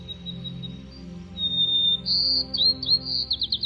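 White-crowned Sparrow sings clear, high whistled notes, then a quick buzzy trill of rapid notes near the end, over soft background music.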